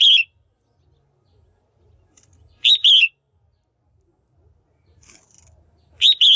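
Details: Female Red-whiskered bulbul in a cage, calling to attract or stimulate males: harsh double-note calls repeating about every three seconds, one cut off at the start, with a faint high chirp between, quiet background.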